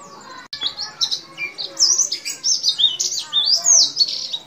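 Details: Javan white-eye song in the long 'nembak' style, Bali or Banyuwangi type, recorded for tutoring: a short pause, then busy high chirps and rising-falling whistled slurs building in a lively stream.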